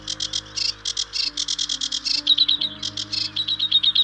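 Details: Sedge warbler singing on Stains Moor in early spring, perched in bushes along the river edge. It gives a fast, scratchy chatter of rapidly repeated notes, switching to thin high whistles, over a faint low steady hum.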